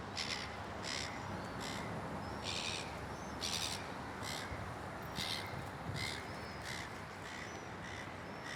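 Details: Seagull screaming at a white-faced heron that ignores it; harsh, loud scream bursts repeated irregularly, roughly once every second, over steady background noise.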